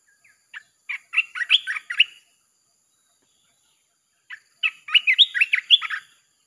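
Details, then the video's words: Red-whiskered bulbul singing nonstop in the 'sap' (chopping) style, used to lure wild birds: two bursts of rapid, liquid, warbled notes, each about a second and a half, separated by a two-second pause. "เสียงนกกรงตาแดงEp.158 สับไม่หยุด!! เปิดล่อนกป่าเข้า100%"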